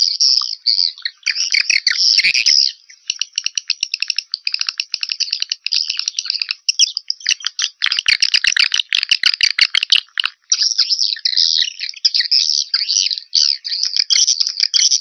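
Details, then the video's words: Swiftlet calling sound used to attract swiftlets, 2021: continuous high chattering twitter with fast rattling clicks, several birds overlapping, a brief pause near the middle, then renewed sharp buzzy chirping. "SUARA SUPER PANGGIL WALET"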